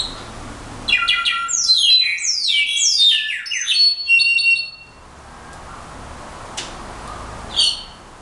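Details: Brown-backed solitaire singing a rapid tumble of high, thin whistled notes, many sliding steeply downward, packed tightly together for about four seconds before falling quiet, with a few scattered high notes afterward.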